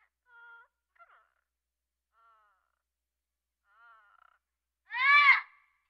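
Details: African grey parrot giving a few short, soft whistled notes with clean stacked tones, separated by pauses, ending in one loud, harsh, rich squawk near the close; no other sounds.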